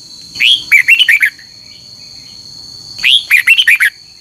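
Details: Red-whiskered bulbul in morning competitive song, long double-noted phrases: a rising liquid note followed by a run of five sharp warbles, repeated once after a silent gap, a continuous high-pitched hum underneath.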